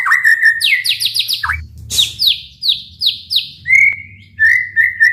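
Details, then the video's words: White-rumped shama song used to rouse other shamas: a steady whistled note, a burst of rapid down-slurred phrases, a loud harsh sweep, then more slurred notes and clear sustained whistles over a faint hum. "MURAIBATU gacor dor full TEMBAKAN ampuh untuk memancing EMOSI murai cepat bunyi | shama bird"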